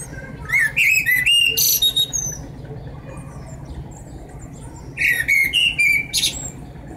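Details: Eurasian blue tit nestlings, 7–9 days old, beg while being fed: two bursts of shrill, rapid rising squeals about 1.5 seconds long, separated by a few seconds of faint hum.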